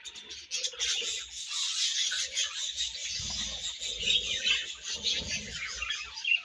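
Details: Budgies during feeding and food exchange: an unbroken wash of high, scratchy twittering with soft low rustling and thumping beneath it.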